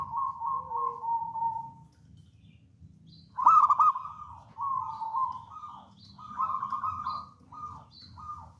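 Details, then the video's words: Local wild zebra dove with a long trilled coo, then a loud bubbly burst, then a run of sustained rolling coos. Faint high chirps from other birds and light outdoor ambience sound throughout. "PERKUTUT LOKAL ALAM GACOR"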